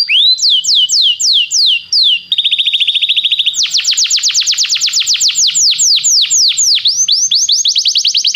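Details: Belgian canary singing to warm up a canary: loud rising-falling whistles, a steady buzzy trill, then a long rapid series of downslurred notes running about five per second.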